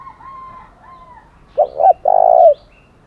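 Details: Spotted dove, 'thổ đồng' voice, calling a fighting challenge: faint distant coos at first, then a loud close phrase of two clipped notes and a long, smooth coo that dips at the end.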